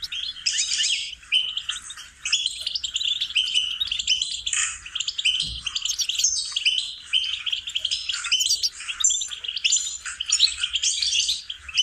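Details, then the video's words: Goldfinch melodies recorded as singing lessons for songbirds: long, fast twittering song of liquid chirps, buzzy notes and trills, broken by a few short pauses over about twelve seconds. "Training and cultivating melodies singing lessons for goldfinches"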